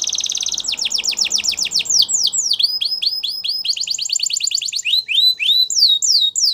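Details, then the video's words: Belgian canary singing: a rapid buzzy trill, then series of repeated rising and falling whistled slurs, a fast rolling phrase and sweeping notes, high-pitched and varied, with faint low background rumble early on. "Belgian Canary Singing !! Canary Birds Sounds"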